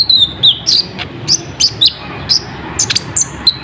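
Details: Short burst of olive-backed sunbird song, played as a lure for wild birds, opening with a thin high trill, then clipped, shrill chirps roughly every quarter to half second.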